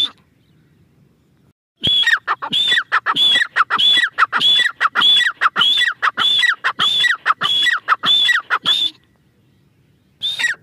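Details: Grey francolin, called dakhni teetar: loud, ringing call repeated about a dozen times at a steady pace, each phrase a sharp high note dropping into a lower falling note, in near silence, a brief second burst near the end.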